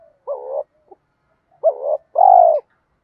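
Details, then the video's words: Spotted dove coos used to stimulate other caged doves to call: a low mellow coo, a short blip, then a two-part coo with a rising first note and a long held second note. "giọng chim cu gáy thúc gù dồn ép bổi lười gáy ức chế phải gáy theo"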